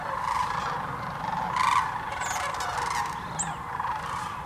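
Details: A huge flock of sandhill cranes at a Tennessee refuge, Hiwassee near Birchwood, filmed on a GoPro or Canon Powershot: a continuous murmur of overlapping rolling calls, punctuated by a few louder bugles and faint higher whistles.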